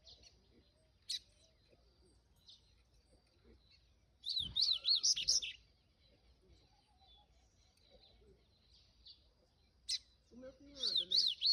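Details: Papa-capim, the double-collared seedeater, giving 'canto do rio' song in two separated bursts of rapid, high, wavering chirps, with scattered quiet clicks and knocks in the long pauses between them.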